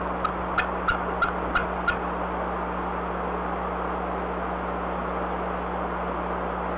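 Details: Before dawn (04:34, 17 April 2020) at a Decorah nest, the female Bald Eagle, defending nestlings from a harassing owl, gives a quick run of about six thin, squeaky piping warning notes, then silence over a low electrical hum.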